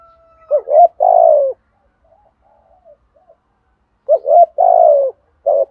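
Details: Spotted dove used as a lure and training bird, cooing in the rustic field style: loud throaty coo phrases in two bursts, each a short stuttering lead-in followed by a drawn-out falling note, separated by a near-silent pause.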